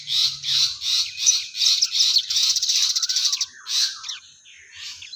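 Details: Crested jay (sogon) calling actively: a series of harsh, buzzy pulsing bursts, each about half a second long, merging into a continuous rattle before thinner squeaky notes close.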